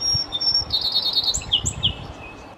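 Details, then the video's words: A Song Sparrow sings from the top of an Arborvitae, probably near its nest: high clear notes, then a rapid even trill, then a few slurred whistles. Faint low rumbles sit underneath. "Song Sparrow Singing a Song"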